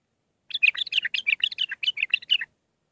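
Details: Bulbul song in Mandalawi style, six phrases, meant for training young birds: a steady two-second stream of roughly sixteen quick warbled notes, rising and falling, with no background noise.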